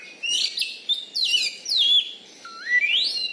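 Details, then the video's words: Caged Oriental magpie-robin, a champion contest bird from Bengkulu, Indonesia, noted for a loud voice and special fighting style; varied whistled phrases with sharp rising and falling sweeps, some buzzy notes, in bursts with short pauses. "BURUNG KACER JUARA DI BENGKULU"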